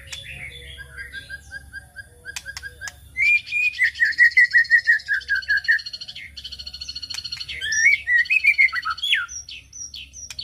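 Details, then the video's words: White-rumped shama singing as a lure for other birds: quiet start, then a long rapid trill of warbled notes, followed by a second fast descending run of whistles. "pancingan murai batu"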